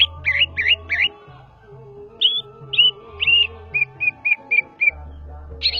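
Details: Javan greater green leafbird, known locally as cucak ijo, from Banyuwangi, singing ngetrok-style: three looping warbled phrases, then a spaced run of short clear whistles stepping slightly lower, ending in a bright burst, with faint low humming behind.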